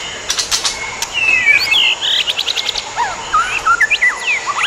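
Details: White-rumped shama pair, adults, free in the wild, singing varied whistled notes that rise and fall in quick slurs, mixed with rapid click trains, a constant high insect hum behind.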